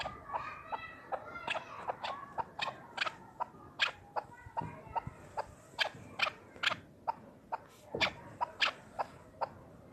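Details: Chukar partridge, a hunting bird, heard calling at a distance: sharp, clipped chuck notes repeated quickly in an uneven series over faint background noise.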